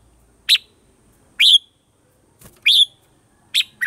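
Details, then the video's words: Red-whiskered bulbul recorded as a lure for voice-training caged birds, in the mature wild-forest voice style of morning song: four short, sharp, high chirps spaced roughly a second apart, over a quiet background. "Luyện giọng cho chào mào hót sáng, chào mào hót giọng già rừng hay tuyệt"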